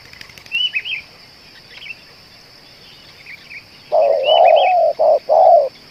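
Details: Spotted dove, a long-calling lure bird, gives a burst of low paired coos near the end after a quieter stretch filled with thin high chirps of other birds.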